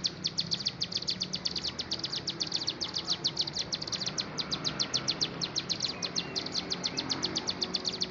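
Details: Bar-winged prinia in lively, persistent song: a long, fast series of high, sharp ticking notes, about eight a second, evenly spaced and unbroken for over eight seconds, with faint background noise.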